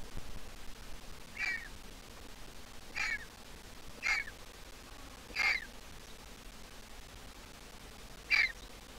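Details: Grown griffon vulture chick, still a squeaker, producing five brief, sharp squeaks at irregular gaps of one to three seconds, quieter and more scattered, with soft background noise.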